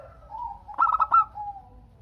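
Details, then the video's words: Local Indonesian zebra dove song meant to set other doves calling back; a soft low coo, then a short rapid burst of four or five rolling notes, trailing into a quieter drawn-out coo. "Perkutut Lokal Gacor Untuk pancingan kutut perkutut agar saling bunyi BERSAUTAN"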